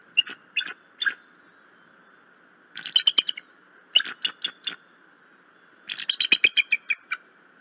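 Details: Bald eagle calls at the Decorah nest on a snowy early morning, 16 April 2018, during chick feeding: bursts of high, thin staccato chirps in quick series, four groups over several seconds, over a steady low hum.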